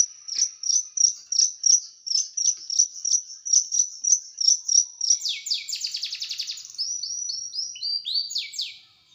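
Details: Tutor song of a small bird with sharp, tight, harsh bursts: a regular series of high clipped notes about three per second, breaking into a fast buzzy rattle and then short descending whistled slurs.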